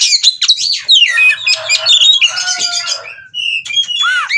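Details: Oriental magpie-robin wanting to mate, 'ngobra' style: loud high whistles and scratchy warbles, then a pause, a level whistle and a final downward-looping call.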